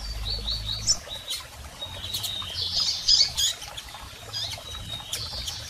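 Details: Double-collared seedeater calls from both sexes, played to stir up a male: thin high tonal peeps and short notes in loose series, fairly soft, over low background hum.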